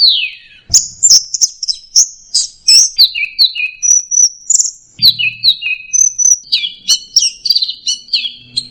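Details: Clean, loud orange-headed thrush song in teler style: a continuous stream of quick high chirps and short whistled phrases, many repeated in pairs and stepping down in pitch, with little background noise.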